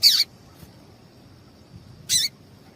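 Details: Female double-collared seedeater giving two brief, sharp high chirps about two seconds apart, each a quick bright burst, over a faint steady high hum; female calls used to stir males into singing.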